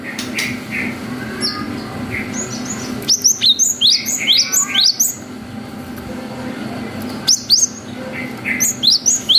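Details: Lively cinereous tit singing long 'wucit' phrases meant to provoke young birds into answering: bursts of high, rising whistled notes in quick runs, separated by pauses, with a steady low background hum.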